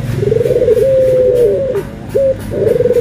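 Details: Cooing of a Barbary dove from a comparison of white and brown birds: a rolling, trilled note that swells into a long level hum and falls away, then a short clipped coo and a fresh purring start.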